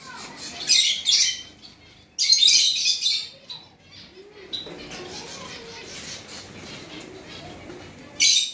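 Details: Gouldian finches, described as ready to breed, give three loud, hissing, buzzy high bursts, near the first second, between two and three seconds, and at the very end, with quiet low rustling between them.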